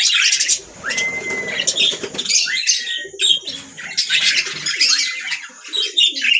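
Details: Budgies singing together, mixing steady whistled notes with harsh, jumbled chatter and squeaky chirps in uneven bursts throughout.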